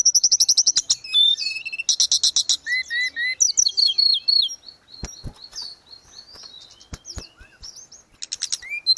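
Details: Vigorously singing grey-cheeked bulbul, recorded as tutor audio for cage birds: fast buzzy rattling chirps open, followed by twisting whistles and scattered sharp clicks, ending with another brief high burst.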